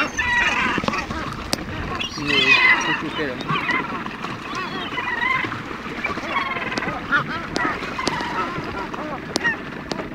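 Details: A crowd of hungry seagulls begging for food after fishing, calling nonstop in overlapping harsh squawks and mews, with sharp clicks and a human voice mixed in.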